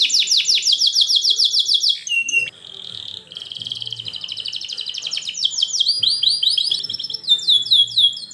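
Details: Song of a canary, played to help young canaries learn: fast repeated swooping notes, a short pause, then a soft rolling trill building into dense high sweeps and chirps.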